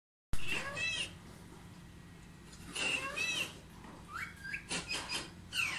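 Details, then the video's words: Pet talking parrot, said to watch television, producing speech-like vocalisations with bent whistled tones and harsh syllables in bursts, indoors in a small room, with a steady low hum behind. "Talking Parrot ll मिट्ठू देखो कैसा टीवी देखता है"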